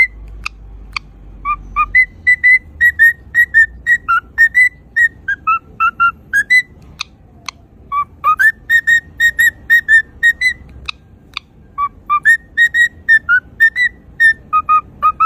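A cockatiel sings a rapid series of clear, bright whistled notes, stepping between a few pitches.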